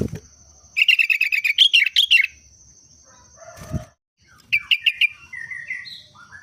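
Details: Sooty-headed bulbul (kutilang) singing the trucuk style it uses as its daily song: a long rapid chirp series that turns into higher rolling notes, a loud thump, then a shorter chirp burst followed by soft falling whistles.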